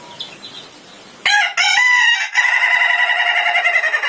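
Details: Ayam Ketawa, the Indonesian laughing chicken, crowing: after quiet background chirps, a loud rooster call starts abruptly and runs into a long, fast, rippling series of laugh-like pulses.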